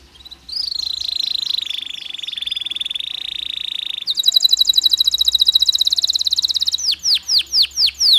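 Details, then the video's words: Long canary lure song meant to prompt other canaries to sing: opening slurred notes give way to a sustained high buzzy trill. It then shifts into a rapid rattling roll and ends in slower, separate downslurred whistles. "PANCINGAN KENARI STRES, KENARI GACOR PANJANG DENGAN JEDA"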